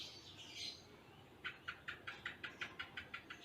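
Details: Caged Purple-throated Sunbird (konin) in a tutor recording of full cililin-style song with tight gaps: a high chirpy phrase, then a fast run of about ten sharp repeated notes, evenly spaced.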